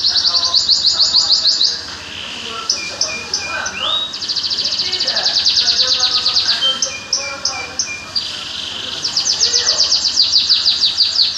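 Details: High, fast bird song of rattling trills broken by short rising whistles and clipped notes, continuous and energetic, with faint background chatter.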